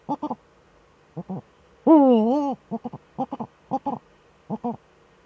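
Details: Two Eurasian eagle-owls together in the nest hollow, filmed by webcam on 6 March 2013. Pairs of short, low, harmonic notes repeat in quick clusters. One longer, louder, wavering call rises and then falls midway through. The background is quiet.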